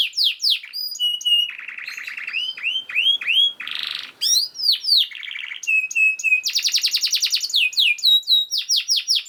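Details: Canary singing a fast, dense master song meant to tutor other canaries: quick chains of downslurred whistles, a buzzy low trill, a harsh rasping burst midway, then a rapid high rattling trill and more sweeping notes.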